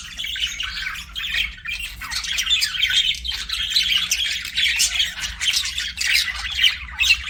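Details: Budgie chirping sounds: a steady stream of high, grating warbles and twittering squeaks, growing busier toward the end, with a soft low hum in the room.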